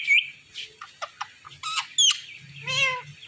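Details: Indian ringneck parakeet on a Thursday night giving a rapid string of high chirps and squeaks, short and scratchy, ending in a longer nasal harmonic squawk.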